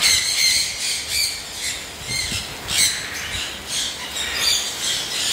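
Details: Caged caique parrot giving loud grating squawks in quick irregular series, several per second at times, against constant background noise.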